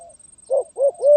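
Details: Spotted dove in a stuttering 'gagap tindan' song style, 23 January 2022: three quick, hollow, arched coos, the last one longest and steady, against a quiet background.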